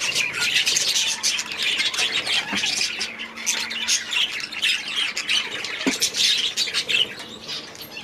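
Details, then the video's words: Flock of budgerigars kept in an aviary, giving steady overlapping squawks and scratchy warbled chirps, sharp clicks standing out twice amid the busy chatter. "6 Hours of Budgies in their Aviary"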